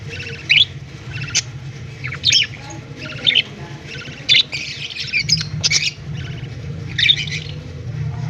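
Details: Budgerigar babies begging while the male feeds them, October 18, 2023. Irregular hoarse, buzzing squawks roughly once a second, some clustered in quick runs, over a continuous low-pitched hum.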